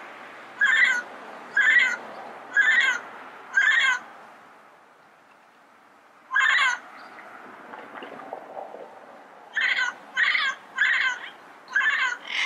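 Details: Wild yellow-headed parrot in its natural environment giving harsh, rasping squawks: four evenly spaced about a second apart, one lone call after a pause, then a quicker run of five more. Quiet background.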